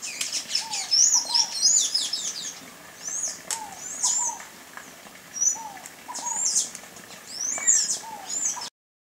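Sayaca tanager giving thin, squeaky, high twittering notes in quick bursts, with a lower, repeated downslurred whistle from another bird in the background.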